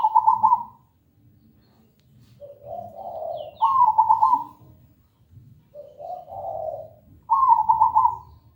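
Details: Melodious zebra dove (perkutut) song meant as a lure for training birds: alternating low mellow coos and brighter stuttering trilled phrases, each sequence repeated about every three to four seconds, with faint chirps.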